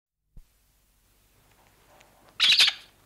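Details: A 2-3 day old lesser black-backed gull chick on Walney Island gives a brief, high, piping alarm call, a quick double note, after a soft click and faint background rustle.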